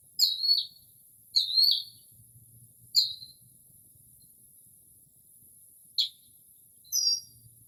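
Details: Northern mockingbird singing late at night in early spring outside a home, mimicking various birds, in quiet without urban noise: sparse high chirpy phrases of differing shapes separated by pauses of one to three seconds, with a faint low hum.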